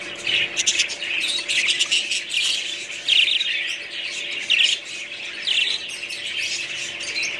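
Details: Budgerigars chattering: dense, overlapping warbling chirps and short squawks, high-pitched and continuous, with louder bursts around three and four and a half seconds; a faint steady hum underneath.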